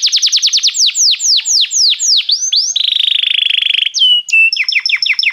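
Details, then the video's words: Belgian canary singing a varied song: a run of rapid descending whistled sweeps, then slower falling slurs, a steady buzzy trill, a pure held note and a final series of short clipped notes. "canário belga muito lindo cantando"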